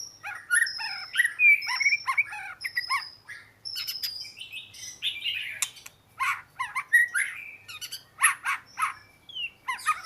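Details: Oriental magpie-robin mixing long thin high whistles with warbled chirps and crisp clicking notes in an energetic, irregular sequence.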